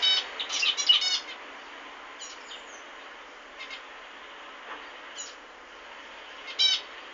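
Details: Zebra finch giving short, nasal, buzzy bursts: a tight cluster early on, then single notes spaced a second or more apart over a faint, steady hiss.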